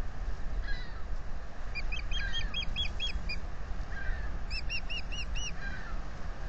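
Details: Wild osprey pair at the Salt Point nest on April 15, 2020, picked up by a nest-camera microphone as the male offers to take over incubation and the female refuses: two bursts of rapid, high, upslurred chirps, with fainter slurred notes, over steady low rumble.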